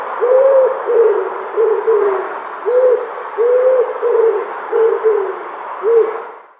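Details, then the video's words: A dove gives low, soft hooting coos, about eight short notes in quick succession, each slightly falling, with a faint hiss behind. "Dove Bird Call Sound"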